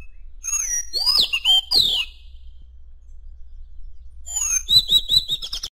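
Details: Madagascar magpie-robin giving bright, ringing whistles that swoop up and down, a pause, then a burst of rapid trilled notes, with a low steady hum underneath.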